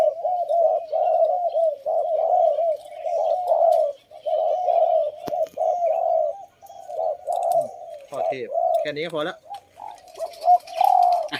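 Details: Captive male spotted dove of the Thep Phanom type, kept as a decoy and just brought out into the open, cooing: mellow, mid-pitched wavering coos repeated steadily, later mixed with rustling, brief chirps and a voice.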